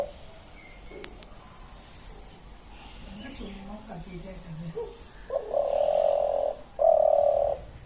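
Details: Pigeon inside a house gives soft, low murmuring coos, then two louder, drawn-out hooting coos about a second long each, with a couple of sharp clicks early on.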